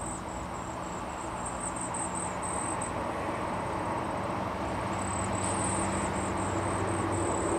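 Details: Cedar waxwing chicks in their nest in a tree, fed by a parent: very high, thin, lisping notes in quick bursts over a steady low rumble of traffic or machinery.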